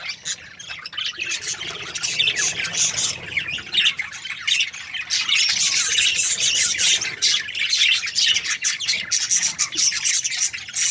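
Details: Continuous high, raspy chattering from a budgerigar breeding pair, described as happy, builds after a quieter opening and stays dense and unbroken.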